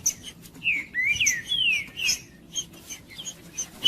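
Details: Green-winged saltator singing in the aggressive male 'macheando' style, used to warm up other saltators: clear slurred whistles sweeping down, interspersed with sharp high chips, in a quiet setting.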